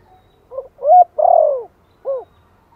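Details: Spotted dove lure call in the Thổ style, meant to coax newly caught birds into calling: one complete low phrase, a soft short note, a firm coo, a long falling coo and a separate rounded final coo.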